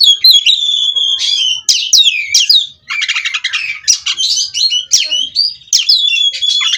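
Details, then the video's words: Oriental magpie-robin, captive bred, rolling on without stopping: a long clear whistle opens, followed by sweeping slurred notes, a dense buzzy rattle in the middle and further varied whistles. "Kacer Ini Ngerol Tanpa Henti"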